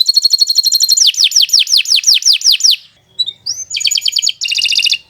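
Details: Canary long song used as a master recording for training other birds, heard in the morning or afternoon: rapid high buzzy trills, then a run of falling sweeping notes about four per second, a short pause, and more dense metallic rolls.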